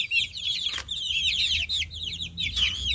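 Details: Little baby chickens in a busy chorus of shrill, rapid peeping, overlapping arched chirps running without pause, with a couple of short broadband knocks partway through.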